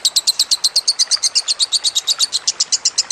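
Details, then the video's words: Lovebird song with trickling water, made for training other birds. It delivers a rapid, rhythmic chain of shrill chirps at close to three per second. "Masteran Lovebird Kusumo + Gemercik Air"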